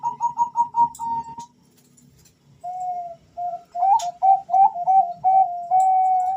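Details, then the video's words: Two male Bangkok-type zebra doves in a calling exchange, played as a lure: quick pulsed coos, a pause, then a smooth held note leading into a stuttering string of short whistled notes and a long closing coo. "suara panggilan dua perkutut Jantan saling Bersahutan"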